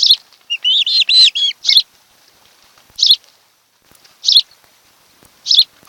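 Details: Nest-camera audio from an osprey pair's nest on Kent Island, Maryland, 26 July 2018, afternoon: a rapid series of rising whistled notes, followed by three sharp high chirps spaced over a second apart.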